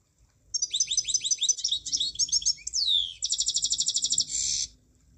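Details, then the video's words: A munia gives a sequence of repeated high, curved chirps, then a falling slur. Next comes a quick, evenly pulsed high trill and a final buzzy burst. Faint low hum in the background. "Kicauan Burung Emprit"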